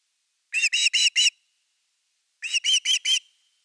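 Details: At osprey nest #3 on 30 August 2021, evening fish time: two short clusters of four ringing, slightly rising whistles each, about two seconds apart, picked up by the nest camera.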